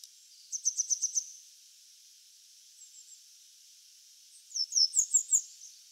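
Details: Grey wagtail (Motacilla cinerea), a Japanese wild bird of farmland, grassland and waterside, gives two quick runs of five or six sharp, high, metallic notes, separated by a pause with a few faint notes, against a quiet background.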